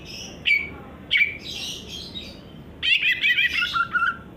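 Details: Greater green leafbird singing: squeaky, chirping notes around a steady high tone, with short rising and falling phrases and a bright burst of rapid twittering near the end over a low background hiss.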